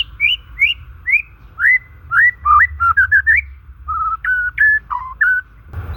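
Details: White-rumped shama in natural song, played to prompt stressed shamas or ones that refuse to sing; rising whistled notes in a series, then quick jumbled phrases and flat held whistles, ending in a burst of noise.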